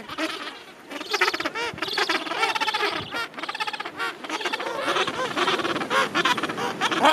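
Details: Crowded Gentoo penguin colony at the end of summer, thousands of birds together. Overlapping, throaty, pulsed brays from many penguins run almost without a break, rising and falling in loudness.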